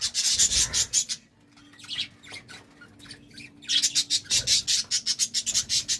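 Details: Budgerigars at love time chatter in fast, pulsing scratchy chirps, drop to scattered soft notes with a faint steady hum for a couple of seconds, then resume the rapid chatter.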